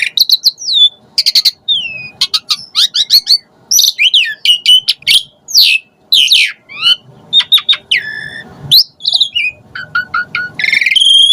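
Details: Asian pied starling in full varied song with mimicked phrases, used as a lure to spur other starlings to sing: rapid sequence of whistles, sharp chirps, descending slurs and buzzy notes, nearly continuous with brief gaps.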